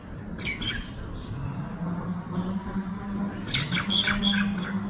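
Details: A Common myna on a rooftop, eating food happily, gives two bursts of harsh, squawky chattering notes, one near the start and a longer run at the end, over a low steady hum.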